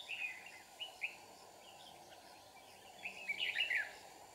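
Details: Red-whiskered bulbul at a trapping site in Kim Bôi, Hòa Bình, singing to fight: scattered chirps at first, then a fuller run of quick tumbling whistled notes near the end over a low continuous hum.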